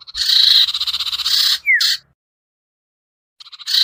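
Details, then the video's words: Sirtu bird lure sound meant to draw reluctant birds down: a long grating, pulsed buzz, a brief downward-sliding note, silence, then the buzzing starts again. "suara pikat burung sertu sirtu cipoh yang susah turun"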